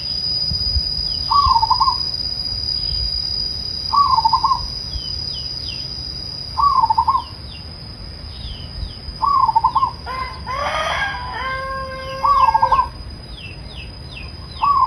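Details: Gentle zebra dove cooing: short trembling warbled phrases at regular intervals of about two and a half seconds, with tiny bird chirps, a steady high hum and a brief louder harsh bird call near the middle.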